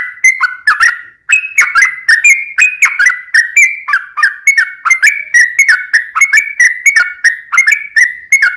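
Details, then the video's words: Yellow-vented bulbul singing as a lure for other birds: continuous run of clear whistled notes, each sliding up or down, repeated about three per second in a lively, bubbly flow. Occasional sharp clicks. "Ini Baru Pancingan Trucuk Sesungguhnya || Burung TRUCUKAN GACOR"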